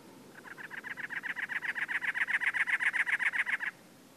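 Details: Territorial calling by a male cactus wren in Anza Borrego State Park, San Diego County, California, April 2010: a steady, harsh churring run of about twenty grating notes, quickly repeated at an even rate, swelling then stopping.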